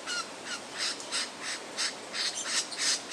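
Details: Lyrebird mimicry during a courtship and territorial song: rasping, harsh notes repeated about three times a second, preceded by two brief whistled slurs.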